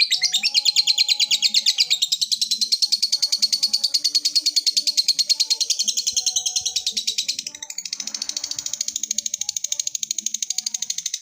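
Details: A sustained ngekek trill from a lovebird calling a rival: dense, rapid high chattering pulses that dip briefly in loudness midway and then carry on steadily.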